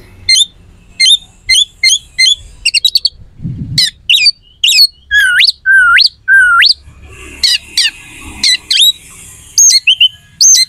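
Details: Oriental magpie-robin singing a harsh, sharp song to provoke other magpie-robins: short high chirps repeated every half second, then loud upward-hooking whistles and a thin high buzz toward the end.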